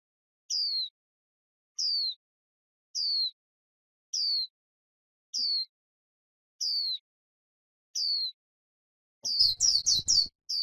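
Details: White-eye on grassland, a recording for stimulating birds into the líu song style: a clear, high, downslurred whistle repeated about once a second seven times, ending in a quick burst of sharper chattering notes.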